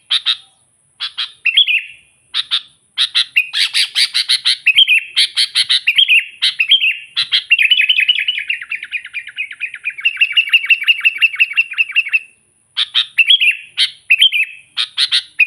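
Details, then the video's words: Sooty-headed bulbul singing a lively, persistent song used as a lure to call and provoke wild bulbuls: bursts of bright chirpy notes, then a long run of rapid warbled phrases around the middle, broken by short pauses, with a faint steady high whine throughout. "suara burung kutilang gacor memanggil kutilang liar"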